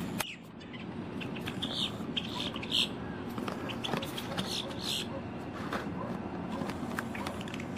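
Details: A singing female Boat-tailed Grackle, October 2023, gives scattered harsh, chattering chips and clicks, spaced a second or two apart, over a steady low rumble of background noise.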